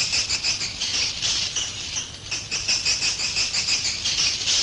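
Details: Swiftlets' roosting call broadcast to attract them to a three-storey roost: steady shrill buzzing chatter, rapid pulses roughly three per second, with a low hum underneath.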